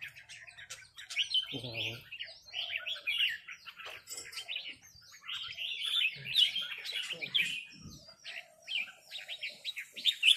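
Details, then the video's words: Red-whiskered bulbuls calling rik back and forth while a territorial local bird confronts an incoming one: busy, overlapping chirps and slurred whistles almost without pause, with a brief human voice early on. "นกกรงหัวจุกร้องริกตอบโต้กันมันๆ โดนนกเจ้าถิ่นรับน้องจัดหนัก"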